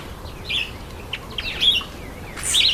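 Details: Grey-headed sparrow taking a bath, giving short bright chirps and a few thin high notes, scattered irregularly with quiet gaps between them.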